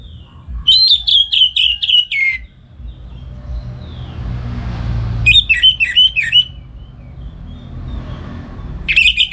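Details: Morning song of a kept orange-headed thrush in northern Bali, meant to teach other songbirds: a fast string of repeated bright whistled notes, a quiet gap with rumbling noise, then more warbled repeated phrases.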